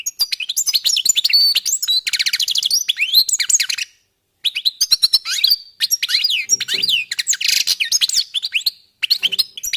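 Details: European goldfinches warming up with lively, near-continuous twittering: liquid chirps, rapid trills and slurred notes in long phrases with two brief gaps.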